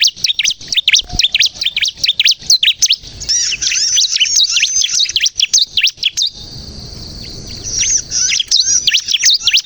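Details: Bar-winged prinia, crystal type, singing as a lure for other birds: rapid high chirps about two per second, then a steady high hiss-like tone with a soft background rumble before the chirping returns.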